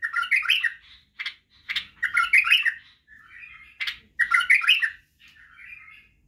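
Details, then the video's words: Young bulbuls hear this white-eared bulbul song for training: bubbly warbled phrases alternate with sharp single chips and softer, quieter trailing notes. "لتخريج وتعليم افراخ البلابل على التغريد و البرواز وطك الجناح بلبل بدراوي"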